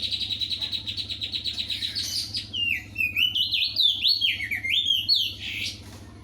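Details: Loud sooty-headed bulbul singing vigorously: a fast series of short, evenly spaced high notes runs into a rich, varied warble of sliding whistles. A low hum runs underneath.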